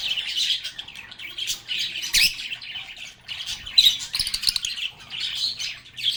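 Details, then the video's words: Lovebirds playing and talking together: bursts of high squawky chatter rising and falling in waves, with a soft low hum underneath. "Lovebirds agapornis sounds | Relaxing Sounds of Singing, Playing, and Talking Parakeets"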